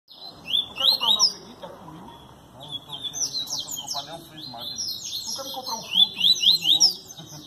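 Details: Capped seedeater in the gasparzinho song style, from João Pessoa, Paraíba, delivering rapid high twittering phrases of sharp slurred notes in bursts, with faint low background noise and murmur.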